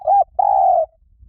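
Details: Spotted dove luring call: a short, low coo, then a longer, steady, slightly falling hoot lasting about half a second.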